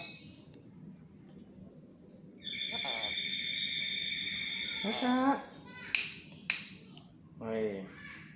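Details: A tame black-capped lory that talks holds a long, steady, whistled-buzzy tone for nearly three seconds, then utters clipped speech-like syllables and two sharp clicks.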